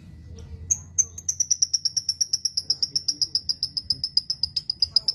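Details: Lovebird training song: a scratchy opening note, then a long, even string of shrill, high chirps, about four per second, with faint background murmur.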